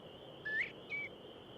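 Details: A Northern Bobwhite gives a clear two-note whistle, a rising first note then a short level second, over a steady high hiss; possibly a comeback call used to reassemble a scattered covey after flushing.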